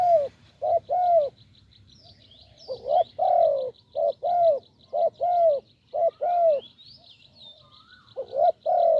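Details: Deep-voiced wild spotted dove at a Thai branch decoy; rich low coos in short-long pairs repeat roughly once a second, pausing briefly midway, with a steady high ticking and faint chirps in the background.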